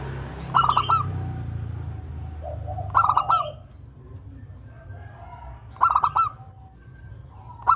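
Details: Local zebra dove singing actively, its pleasant voice used to attract other birds: stuttering coo phrases recur about every three seconds over a low rumbling background.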